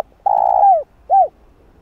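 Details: Spotted dove call meant to provoke wild doves: a long, buzzy, level coo that bends downward at its close, followed by one short arched note. The recording is clean.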